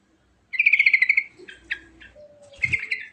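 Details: Yellow-vented bulbul in rolling song with fancy fill-ins: a rapid bubbly trilled phrase, then short scratchy chips and a second chattering burst; faint low thump beneath.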